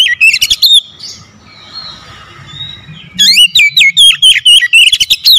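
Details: Oriental magpie-robin, a kept bird said to be reluctant to sing until prompted, bursts into rapid loud chirping song: sharp high whistled notes and slurred squeaky phrases in two bursts, separated by a quiet gap with faint low murmur.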